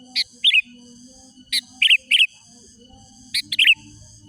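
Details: Sooty-headed bulbul calling rivals, a lure for wild bulbuls: repeated short phrases of a sharp note followed by bubbly warbles, three groups in four seconds, over a steady high ringing hum.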